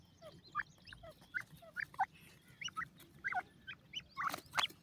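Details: Young grey francolins give a steady stream of small high chirps, brief slurred peeps overlapping from several chicks, with a scratchy burst of noise near the end and a faint hum underneath.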